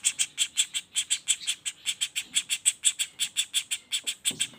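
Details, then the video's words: Juvenile common flameback in a continuous rapid roll of hoarse, buzzy notes repeated about three times per second, with a soft thump near the end. "Suara Pelatuk Bawang Anakan Roll speed tanpa jeda"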